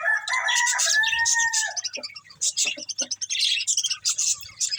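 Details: Budgies eating greens open with a long, level, double-toned whistle, then break into fast, irregular high chirps and clicks, with some lower tapping sounds.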